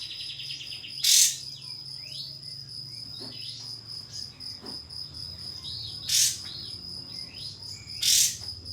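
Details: Pied fantail lure to provoke a rival: three loud harsh bursts, the last two close together, with faint curved whistles between them and a steady insect-like tone throughout.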